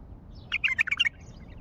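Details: Wild common bulbul from Baghdad singing: a short burst of five or six quick, warbled, chirpy notes lasting about half a second, over faint low background noise.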